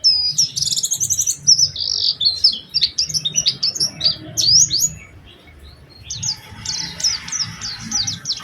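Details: High, busy chatter from an Oriental white-eye in a lively lure song with special phrasing for prompting other white-eyes: about five seconds of dense twitter, a quiet gap, then the song resumes.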